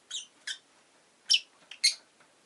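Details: Rosy-faced lovebird producing a string of five brief, scratchy chirps at irregular intervals, the later ones louder, over a soft background hiss.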